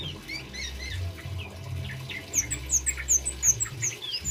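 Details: Male orange-headed thrush singing, with cabe-cabean and bunga api styles, used as a lure and tutor for other birds. High, quick chirping notes come in a rapid, uneven series, louder toward the end, over a low murmuring background.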